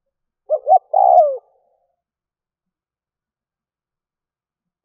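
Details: Decoy spotted dove calling to draw in wild doves: one phrase of two short hoots and a longer, downward-sliding coo, followed by several seconds of silence.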